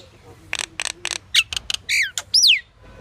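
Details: Pied myna calling with a run of harsh rasping notes followed by whistled, falling slurred notes and a high descending whistle at the end.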